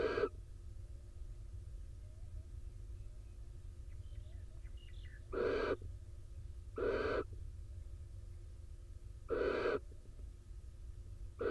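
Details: In an Israeli nest box, a barn owl pair after the male returns drenched from rain to the female sitting on eggs; four harsh, wheezy hiss-screeches spaced one to two seconds apart, soft bird twitters faintly behind, low steady hum.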